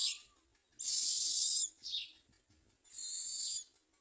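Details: Myna chicks waiting to be fed crickets by their parents give three harsh, hissing rasps, the first and last nearly a second long with a short one between.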